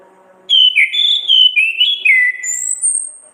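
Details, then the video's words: Orange-headed thrush with lively ngriwik song used to train songbirds: loud, continuous warbled whistles that wander up and down, finishing on a thin, very high rising whistle. "Pancingan masteran terapi burung Anis kembang ngeplong gacor ngriwik"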